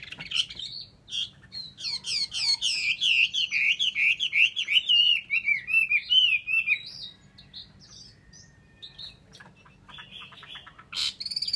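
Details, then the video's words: Chinese hwamei singing a long, varied phrase: rapid loud whistled notes sweeping down and rising again, then a quieter stretch of scattered higher whistles before a final sharp burst. "họa mi"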